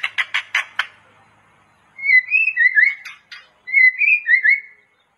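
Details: Master song of a white-rumped shama for training: a quick series of five harsh buzzy notes, a pause, then two phrases of rich, fluid whistles sliding up and down, split by a brief scratchy note.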